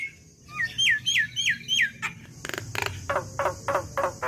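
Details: Young black-winged myna training song: a run of four falling whistled notes, then a rattle and a series of rapid harsh clicking calls.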